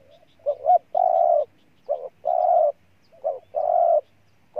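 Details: Spotted dove from Ninh Thuận, Vietnam, cooing low and mellow: a short broken double note, then a long steady drawn-out coo, the phrase given three times with quiet pauses between.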